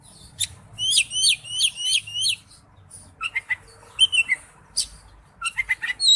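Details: Oriental magpie-robin in forest-voice song: opens with a high, rapidly repeated trilled phrase given five times, then breaks into scattered sharp chips and slurred whistles, ending in a fast cluster of bright notes.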